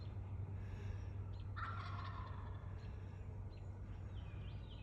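A turkey gives one rapid, rattling gobble lasting under a second. Faint chirps from other birds follow over a steady low rumble.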